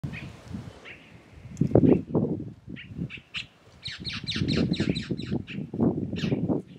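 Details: Red-necked tanager, known locally as Maria Preta or Tiê-caburé, singing in the Caatinga of Brazil; short bright high notes in a quickening series over heavy low rumbling noise.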